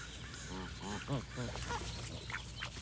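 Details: A quick series of four or five nasal goose honks in the first half, each bending up and down, followed by quieter distant calls over a steady low drone.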